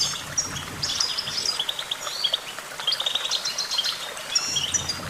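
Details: Goldfinch twittering for song training: a rapid jumble of chirps, short liquid trills and buzzy slurred notes, continuous and varied, with a faint low hum beneath.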